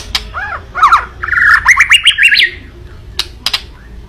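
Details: Kretekan song of a white-rumped shama, used to stir up a rival: looping arched whistles, then a fast buzzy warbled run with rattling clicks, followed by two sharp crackling clicks near the end.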